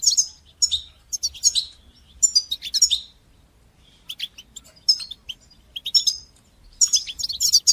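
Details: European goldfinch training song, batbata and sastasa style, for teaching fledgling goldfinches: bursts of quick tinkling twitters and buzzy notes separated by short pauses, with a longer quiet gap midway.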